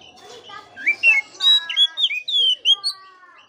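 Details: Short burst of Oriental magpie-robin song used to lure a dull bird into singing: rich, harmonic whistled notes, some level and some slurred downward, strung in a quick melodic phrase.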